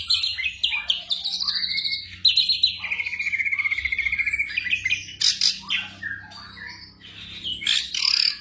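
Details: Black drongo song played at night to train caged songbirds: varied whistled and chattering phrases, a long run of fast repeated notes, then harsh bursts and high squeaky calls, over a steady low hum.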